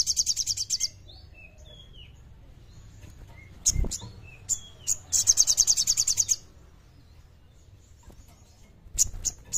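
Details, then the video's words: Common iora song used as a lure for birds to sing: fast high trilled bursts repeated in regular runs, separated by sparse scattered chirps and short sharp clicks. "Suara Sogon Gacor Kleper Jernih Bagus Buat Pancingan Burung Kurang Gacor"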